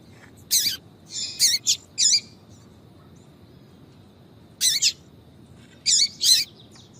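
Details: Female yellow-bellied seedeater giving 'tui tui' notes meant to excite males: clustered high, slightly buzzy chirps in quick groups, a long gap, then more paired calls.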